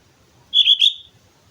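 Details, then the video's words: At Mount Slamet a sooty-headed bulbul sings a brief two-part whistled phrase, smooth and bright, ending in a short upturn. "suara burung kutilang gacor gunung slamet"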